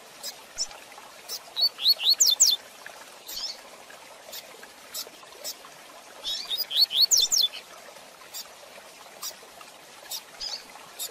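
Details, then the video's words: Fast Tui Tui Zel Zel song of a double-collared seedeater, recorded for teaching young birds. Two matching bursts of rapid high whistles, each rising then dropping steeply, arrive about five seconds apart, with sparse clicks between. "Tui Tui Zel Zel de Fibra Canato Rápido Para Treinamento e Encarte - Coleiro Professor Aprendizado"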